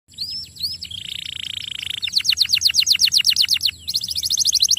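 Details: Young canary song on a lure recording meant to prompt long rolls: thin rising whistles, then a buzzy sustained trill, then rapid repeated down-slurred notes and a fast rattling roll, all high-pitched and continuous.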